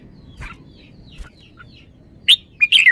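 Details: Red-whiskered bulbul, noted for its song phrasing, gives soft scattered chirps and then a sudden loud phrase of three or four rich, downslurred whistles.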